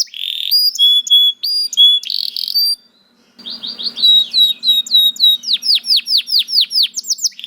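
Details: A canary sings varied whistled and chipping notes. After a short pause, it builds a long series of downslurred notes that grow louder and sweep more widely.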